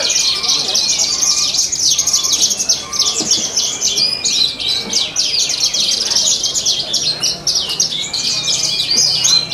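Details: Horsfield's bush lark at a bird-singing contest, animal market, Purbalingga, Indonesia; continuous high, rapid twittering and buzzy trills layered with steady whistled notes, many competing singers and faint background voices.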